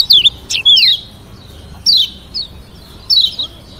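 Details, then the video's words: Yellow white-eye (Lombok kecial kuning), used as song to provoke rivals into replying, gives high, quick sweeping whistles in short bursts, some rising, some falling, about a second apart over a quiet background. "Kecial Kuning ( JOSS VARIASI )‼️BIKIN LAWAN EMOSI DAN NYAUT‼️"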